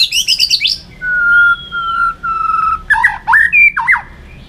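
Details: White-rumped shama in fighting song for training: a quick high trill, a long pure level whistle held over a second, another steady whistle, then loud abrupt swooping notes.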